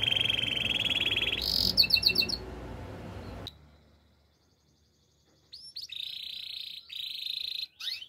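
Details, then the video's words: Gloster canary song meant to train canaries: a sustained buzzy roll and a quick high chatter over background hiss, a pause of near silence, then a steady bright trilling tour. "Gloster canary singing"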